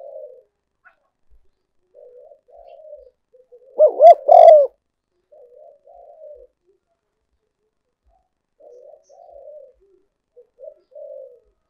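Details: Decoy recording of a spotted dove for luring: one loud, hoarse, rolling coo phrase of three notes stands out midway, while soft, distant cooing phrases repeat quietly before and after it in a quiet setting.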